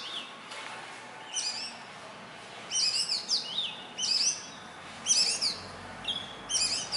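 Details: An Indian robin, a small black-and-white bird that lives near houses and sings mornings and evenings from branches or wires, sings short, high whistled phrases with sweet trills, about once a second against a quiet background.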